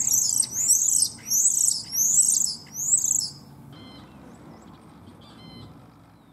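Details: Competing male common starlings in a German cherry tree, mimicking other animals; four loud, buzzy, high warbled phrases in quick succession, then softer thin whistled notes with short gaps.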